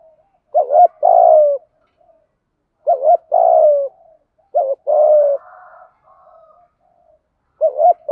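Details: Caged decoy spotted dove cooing to lure wild birds in the 'gáy gọi một hậu' calling style: three clear, mellow phrases of a short stuttered note then a long throaty falling coo, spaced about two seconds apart, in silence.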